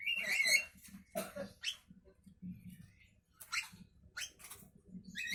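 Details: A morning Javan myna gives rough, raspy screeches and grating squawks in uneven bursts, mixed with soft low knocking sounds.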